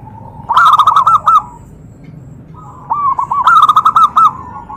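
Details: Zebra dove giving a call meant to stir rival doves into replying: two loud phrases of fast, rolling coo notes, each about a second long, with a short soft lead-in and a quiet gap between them.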